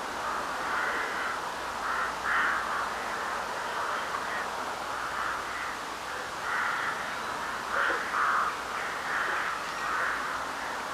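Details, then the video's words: Night-time crow chorus in March 2021, spring, under a full moon. Grating caws rise and fall in overlapping waves, some louder bursts standing out around the middle and later, over steady background noise. "Varnų garsai"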